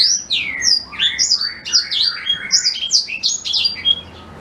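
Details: Black-throated canary pouring out a continuous rapid song of high, bright, zigzagging chirps and trills with no pauses, a recording offered as a tutor for white-rumped shamas.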